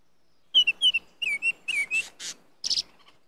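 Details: A Baltimore oriole (Icterus galbula) calls, giving a quick run of clear, downslurred whistles, then a couple of harsh, buzzy chatter notes, all within about three seconds.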